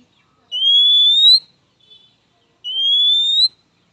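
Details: {'caption': "Oriental magpie-robin's rival call, one that brings a fast reply from males and females: a pair of long, even whistles, each slightly rising and close to a second long, with a brief soft note between them."}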